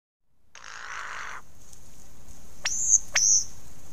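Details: A male lyrebird's early-morning performance on 15 July 2018 at Ben Ricketts Environmental Preserve, caught by a motion-sensing camera: two sharp, very high whistled notes, each opening with a crisp snap, after a brief rushing burst, over a thin high hum.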